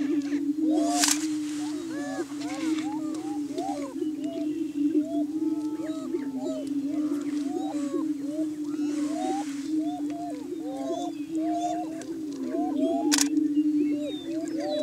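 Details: Several Greater Prairie Chickens booming in courtship display on a lek, or booming ground, on a hilltop in Washington County, Kansas, in the morning; a steady low hooting drone underlies overlapping whoops, cackles and squeaky arcing calls, with two sharp bursts.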